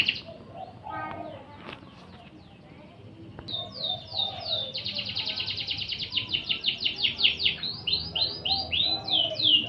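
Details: Canary singing on a master track for magpie-robins: soft scattered chirps and a quiet stretch, then an intense rapid rattling trill building into quick down-slurred whistles.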